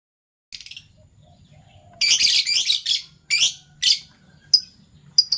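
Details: Two pet Fischer's lovebirds, a violet and a gold opaline euwing colour mutation, chirping in the morning: a brief shrill burst, then a loud scratchy chattering run and several sharp separate high chirps near the end.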